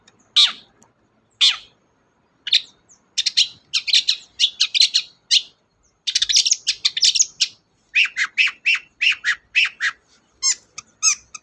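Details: Long-tailed shrike singing energetically, used as a lure to get a reluctant shrike singing: a few single harsh notes, then dense bursts of scratchy chatter and quick repeated chirps with short pauses.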